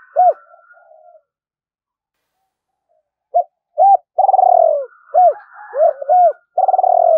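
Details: Trapping lure of a spotted dove's urging and calling coos meant to bring wild doves in: an opening coo, a silent gap, then clipped arched notes mixed with long vibrating, descending purrs.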